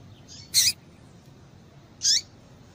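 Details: Female Yellow-bellied Seedeater call, used to excite males into singing: two short, very high, sharp chirps about one and a half seconds apart, over a quiet, faint low background hum.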